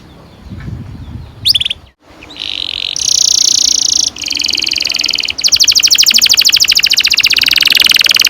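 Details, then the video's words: Canary song used to train young canaries to sing, a long rolling song: a faint start, then high buzzy trills and rapid repeated notes building into a dense, fast rolling trill in the final seconds. "Kenari gacor NGEROL PANJANG cocok untuk PANCINGAN KENARI PAUD bikin BURUNG KENARI GACOR PANJANG"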